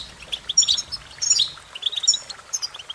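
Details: Short stretch of European goldfinch song: bright tinkling phrases at the start, a rising buzzy twitter in the middle, then a run of softer repeated chips.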